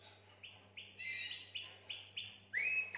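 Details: Canary song to stimulate females for breeding: a string of short repeated upslurred notes about three per second, then lower falling sweeps, with a faint hum in the background.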